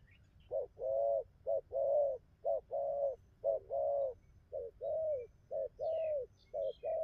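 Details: Bai ngoai song of a spotted dove: clipped low coos alternating with longer steady coos, repeated roughly every second, while faint high twitters of other birds sound in the background.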